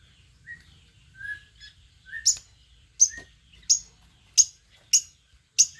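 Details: Long-tailed shrike from Banyuwangi, Indonesia. A few soft, thin whistled notes lead into a run of six sharp, piercing high chips spaced about two-thirds of a second apart, with no other clear sounds.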